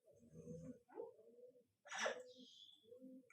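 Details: A female Congo African grey parrot, stated as two or four years old, talking indoors in short voice-like phrases, with a sharp, noisy burst in the middle and a higher whistle-like tone after it.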